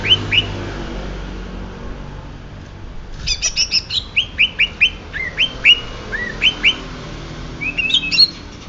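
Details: Banyuwangi greater green leafbird: a couple of sharp chips, a pause, then a rich, rapid series of bright upslurred whistles and harsh high notes, loud and varied.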